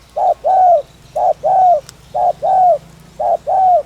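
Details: Spotted dove, locally called cu gáy or cu đất, giving lure coos meant to stimulate wild doves: steady pairs of a short hoot followed by a longer falling coo, repeated about once a second, with a low background hum.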